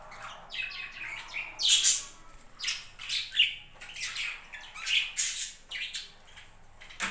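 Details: Flock of pet budgerigars in a home budgie farm, dense continuous squawking and chirping, harsh high notes tumbling over one another without pause.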